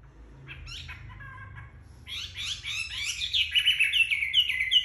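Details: Chinese hwamei in song after bathing, drying out in sunshine: quiet scratchy notes at first, then a swelling, varied warble of sweeping whistles that grows louder toward the end.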